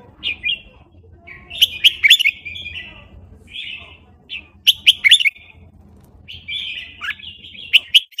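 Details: Quick wild-style singing from a Burmese red-whiskered bulbul: repeated bursts of bright, slurred warbles with snapping accents, separated by brief gaps, over a faint steady hum.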